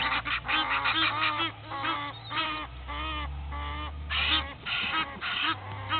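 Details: Two Egyptian goose families fighting at Gowrie dam waterhole, Djuma Game Reserve, Sabi Sand, South Africa, 06:01 on 18 April 2019: noisy overlapping harsh honks and wheezy hisses, about two a second, over a low hum.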